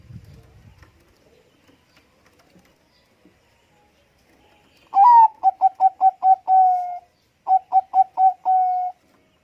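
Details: Big-voiced Bangkok-type zebra dove singing as a lure for other doves. Faint rustling at first, then two phrases: a long coo, about five rapid clipped notes, a held coo, then a shorter repeat with four quick notes.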